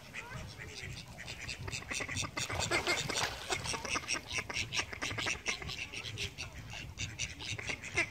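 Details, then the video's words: Call ducks in flight, quacking in rapid, irregular bursts of short nasal calls, about two per second, several birds overlapping, with a steady low rumble of background noise. "Flying call ducks"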